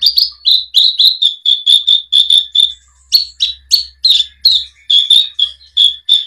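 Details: Horsfield's bush lark singing on a 2022 tutor recording for caged birds: a fast run of bright, clear whistled notes, mostly level in pitch with a few higher sharp chirps, plus a faint low hum underneath.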